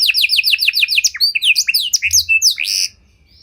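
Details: Canary of the Panda type with a rich cengkok song style, used as a lure for baiting and training other canaries: rapid repeated downslurred whistles, then varied sweeping notes and a short buzzy trill ending abruptly.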